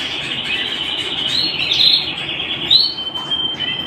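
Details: A canary singing at home gives one long unbroken high trill that swells, then a sharp upward note and a thin level whistle, over faint low hum.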